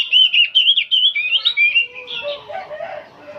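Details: Oriental magpie-robin, an old bird, singing without pause in nyerecet style: rapid, loud, wavering whistled notes tumble together, then fade into softer lower twittering and faint background phrases.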